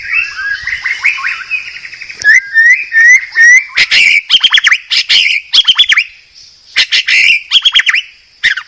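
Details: Medan-type white-rumped shama (murai batu), a master recording for training cage birds: a run of soft rising whistles repeated about twice a second, then loud harsh chattering bursts in quick groups, with a steady high ringing tone behind.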